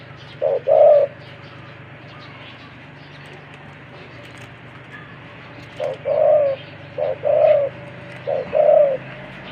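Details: Caged spotted dove kept as a wild-caught decoy bird with a big, deep voice, giving low cooing phrases: two short notes then a longer coo, repeated in three bouts with quiet gaps and a faint steady hum behind.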